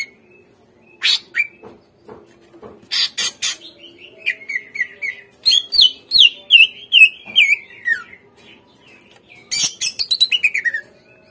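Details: Song of the greater green leafbird used to get captive birds to respond and sing: harsh bursts, then long runs of rhythmic whistled slurs descending in pitch, ending with a rapid chattering series.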